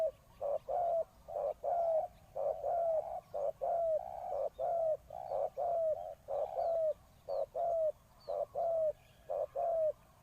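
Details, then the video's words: Decoy spotted dove cooing to lure wild doves: mellow, low coos in tight pairs, a short note then a longer one ending in a falling slur, repeated about once a second at a steady pace against a quiet background. "chim cu mồi gáy gọi bổi"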